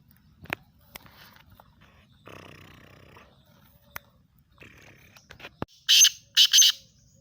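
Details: Black francolin, a Sindhi bird kept for sale, giving two loud, harsh, grating bursts near the end after several seconds of quiet clicks and faint rustling.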